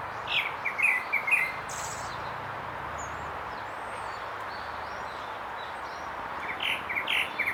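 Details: Grey-backed thrush singing: short bursts of clear whistled notes near the start and again at the end, separated by a stretch of steady broadband background hiss.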